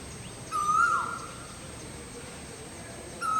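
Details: Asian koel perched on a tree in front of a balcony, giving one clear whistled call that holds level then slides downward, with a second call starting at the very end; quiet background otherwise.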